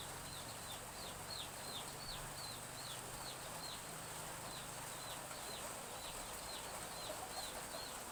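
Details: Young chickens behind a village house at morning in gentle drizzle, peeping steadily: high, thin, falling notes repeated irregularly a few times each second against constant rain patter.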